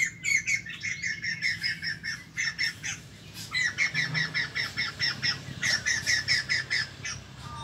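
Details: Newly acquired wild-caught white-crested laughingthrush kept as a cage bird, giving a rapid chattering series of squawky notes, roughly two or three per second, with faint low background hum.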